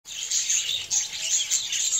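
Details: Colorful budgerigars playing beside their nests give dense, high chirps that overlap continuously in a steady bright chatter.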